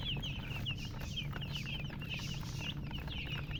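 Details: Chicks of domestic chicken peep in a dense chorus, bright high chirps repeated rapidly and overlapping, each note a quick downward slur, with a steady low hum underneath.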